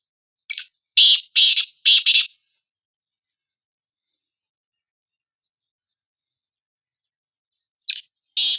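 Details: Black francolin from a calling match of two francolins: a full harsh phrase of one short note and four rasping notes in pairs, then about five seconds of silence before the next phrase begins.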